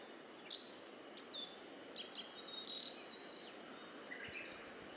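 Black-faced bunting singing a faint, high, thin phrase of quick sharp notes and a brief trill, over a steady background hiss.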